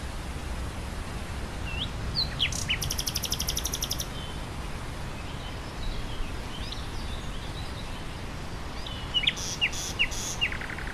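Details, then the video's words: Nightingale singing over wind through grassland; two bursts of song, each with fast repeated notes and a rapid buzzy rattle, plus short whistled slurs, separated by several seconds of steady wind noise. "Wind through grassland and nightingale birdsong"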